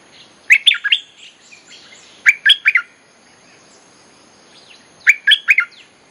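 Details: Bulbul song used as a lure to call wild birds and to teach young birds: three short bubbly phrases of four or five quick, warbled, mid-pitched notes, spaced a few seconds apart over quiet background.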